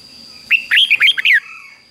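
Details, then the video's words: A single lively phrase of the Red-whiskered bulbul's 'beun' doubled song, fik-jik-fok syllables from a caged bird recorded as a model for young birds: five or six clipped, bubbling whistles, some swooping down, over a faint constant high tone. "นกเบิ้ลอาชีพง่ายๆ ฟิก-จิก-ฟก ล้วนๆ"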